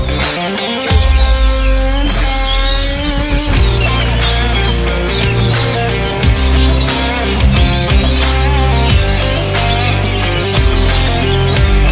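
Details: Loud electronic music with heavy bass and guitar plays throughout, with no animal sound.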